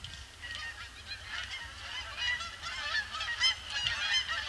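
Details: A flock of Canada Geese circles a pond before landing, part of a seemingly unending influx on a grey Boxing Day, 26 December 2015. Loud, dense nasal honks overlap continuously, many birds calling together, rising in intensity toward the end.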